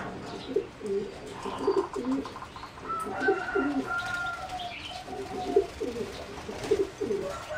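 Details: Competition singing zebra doves, bred from a wild mutation, in a flight cage on 30 April 2014: low, soft cooing phrases repeated in bubbly clusters, with a thin higher whistle over them.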